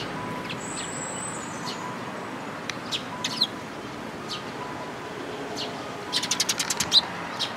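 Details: Adult sparrows and chicks on 19 May 2018 give scattered thin chirps, then a fast run of about eight rapid repeated notes followed by one bright chirp, against steady background noise.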